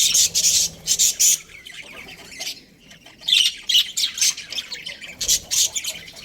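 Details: Breeding pair of Australian budgies giving clipped, harsh high squawks in clusters separated by near-silent pauses.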